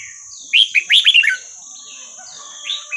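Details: Red-whiskered bulbul singing a Burmese-style song (3-4-5-6 pattern), played to train young birds: a quick burst of bright, warbled, rising-and-falling notes lasting under a second, then quieter fragments, over a steady high-pitched whine.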